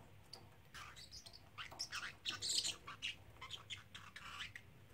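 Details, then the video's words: Young male pet parrotlet, three months old, repeating learned phrases indoors; scratchy, high, speech-like chatter in clustered bursts that grows louder midway, then trails into scattered short notes over a quiet background hum. "Talking Parrotlet"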